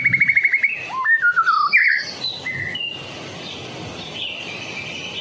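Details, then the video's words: White-rumped shama from Medan, singing steadily as a lure for other shamas: a rapid stuttering trill, then varied slurred whistles dropping and rising, a high buzz and softer warbling. "murai batu Medan. gacor door . cocok buat pancingan burung murai batu lain nya."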